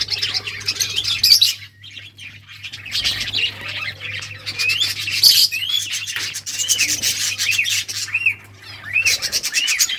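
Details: Several budgerigars playing, giving busy warbling chirps and rising and falling whistled notes, with short pauses between bursts and a steady low hum beneath.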